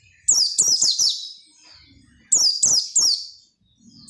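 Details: Vigorous white-eye song used to make others sing: a rapid string of four high, steeply descending chirps, a pause of about a second, then three more in quick succession.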